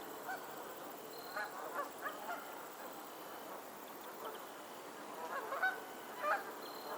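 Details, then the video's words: Geese on a Pennsylvania lake, somewhat distant nasal honks scattered irregularly, a louder pair of rising calls toward the end, set against steady background noise. "the sound of geese on a lake in Pennsylvania"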